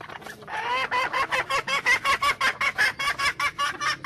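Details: Junglefowl hen giving evenly spaced, rhythmic clucks, roughly three per second, each with a bent, wavering tone.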